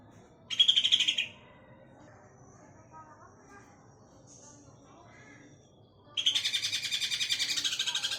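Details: Greater green leafbird giving ngekek chatter used to prompt other birds to sing: a harsh, rapidly pulsed burst lasting under a second, a quiet gap with low background hum, then a longer fast rattling chatter.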